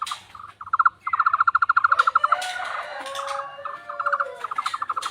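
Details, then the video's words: Tohtor bird whose voice resembles a frog: short pulsed stutters, then a rapid run of croaky pulses lasting over a second, followed by rustling noise and more clipped pulse bursts. "burung tohtor suara mirip kodok"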